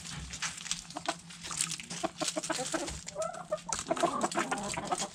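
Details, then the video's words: Backyard chickens, hens and roosters, eating food scraps; a busy mix of short clucks and murmured notes with pecking clicks and rustling throughout, a brief warbling run near the middle. "Backyard Chickens Food Scraps Mukbang Sounds Noises Hens Clucking Roosters Crowing!"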